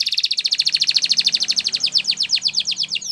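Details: Canary singing for training: a fast, regular trill of bright high pulses that slows gradually toward the end, with faint low hum beneath.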